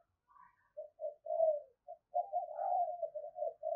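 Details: Lively decoy spotted dove used for luring, giving soft, low, hollow cooing notes in short broken phrases, the last two seconds running into a longer wavering coo; quiet, with no other sounds.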